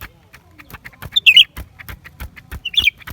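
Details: Lesser green leafbird song, January 2023: two short bursts of bright, twittering, warbled notes, with a steady run of dry clicks and ticks throughout.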